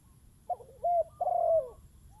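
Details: Spotted dove decoy answering a wild bird: a brief rough note, then a steady mellow coo and a longer coo that sinks in pitch at the end.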